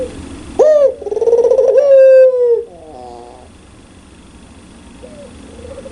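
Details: Barbary dove (puter pelung), loud and clear voice, in its laughing ngakak style: a sharp rising note, then a long wavering, bubbling coo, a short burst of stuttered notes, and a soft closing coo.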